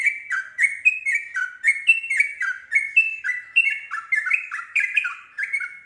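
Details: Continuous chattering series of short, downward-sliding whistled notes by a yellow-vented bulbul, meant to prompt other bulbuls to sing along; quick, steady rhythm with no other sounds.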